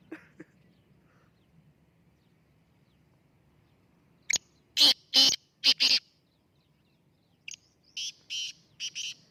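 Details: Black francolins, three birds set to compete, in Jauharabad: after a quiet start, a series of loud grating bursts around four to six seconds, followed by a second burst series near the end.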